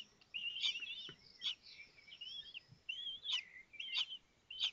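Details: Common kestrel chicks at a nest in Théding on 19 May 2024, as the fifth chick breaks out of its shell while the others are fed. High, thin, wavering squeaks come in short bursts every half second or so over faint background hiss.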